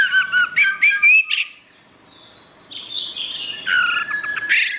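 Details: Orange-headed thrush giving a quick series of loud rising whistled notes, a softer stretch of thin high sounds, then a burst of harsh chattering phrases.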